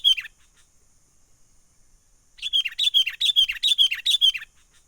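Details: Lure call of a wild sooty-headed bulbul for bird trapping, menggaruda style: one falling chirp, a pause of two seconds, then an energetic run of about a dozen quick, bright, down-slurred notes.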